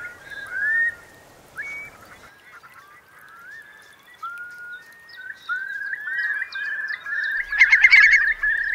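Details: Eurasian curlews, part of about 3,000 roosting in wet meadows of Marquenterre, Bay of Somme, France, at a high spring tide on 7 October 2021; overlapping rising whistled calls from many birds, swelling into a dense chorus near the end.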